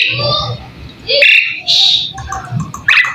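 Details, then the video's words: Asian pied starling (jalak suren) song: a few loud squeaky whistles and harsh buzzy notes in short separated bursts over a low background rumble. "Suara burung jalak suren , full masteran bikin ikutan nyaut"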